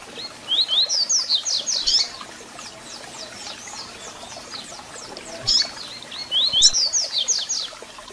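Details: Double-collared seedeater song meant to stir and warm up a caged bird: two fast phrases of rapid descending whistled notes separated by a pause, with soft hiss throughout.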